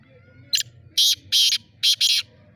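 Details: Black francolin recorded in Bhiria City, 2022, giving a rasping call: a short lead-in note followed by four loud, gritty bursts in close pairs, with a quiet low hum behind.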